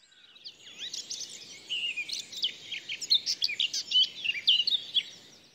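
A Eurasian Blackcap sings a fast, rich warble, starting with scratchy chatter and building into clear, high, fluty phrases for about five seconds.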